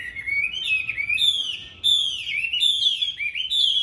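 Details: Chinese hwamei, a tame fighting bird from Hanoi, singing loud, rich, continuous whistled phrases. Each phrase rises and falls in sweeping slurs and repeats about every second with barely a pause.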